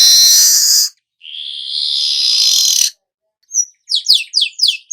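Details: Weaver singing, meant to spur the bird into full song: a long harsh hissing buzz, a second rasping buzzy stretch, then a run of quick high chirps.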